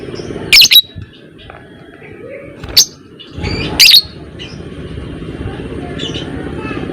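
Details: Lovebird of the fighter type calling: three short, shrill, high chirps scattered over seven seconds, with a low rumbling background.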